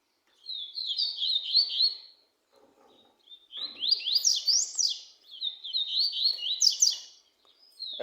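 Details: Double-collared seedeater song: three high, rapid phrases of slurred up-and-down whistles, each about two seconds long and separated by short silences.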